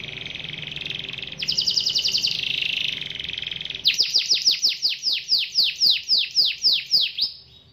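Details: Canary singing in a lively, vigorous manner to call a rival into singing: a dense high trill, then a series of loud descending swooping notes repeated about four per second.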